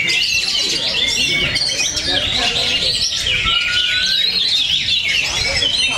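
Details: Oriental magpie-robins in a bird singing contest at Cikeas sing together in a loud, unbroken chorus of high whistles, trills and slurred phrases, with a brief level whistle in the middle and low background voices.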